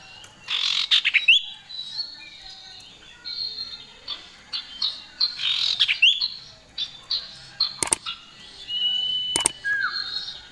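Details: Common iora, a male and female pair singing vigorously: loud, clear whistles and sharp chirps at varied pitches, some long level whistled notes and short bursts, in irregular phrases with brief pauses.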